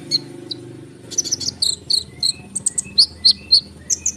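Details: Konin bird in full song, played as a lure so sunbirds and other birds reply: scattered high chirps and brief whistled notes, several per second, with a low rumbling background early on.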